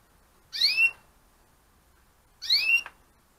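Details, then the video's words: Gloster canaries from breeding pairs kept for the 2015 season: two bright, slurred call notes about two seconds apart, each a quick rising sweep with a higher ringing overtone, in a quiet room. "2015 Glosters Breeding - Pairs"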